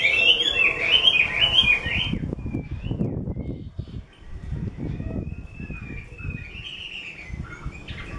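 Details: Chinese hwamei owned by a skilled keeper gives a fast burst of bright, jumbled whistles, then falls quiet to a thin, drawn-out whistle and a softer rising phrase, with low rumbling and knocking noises.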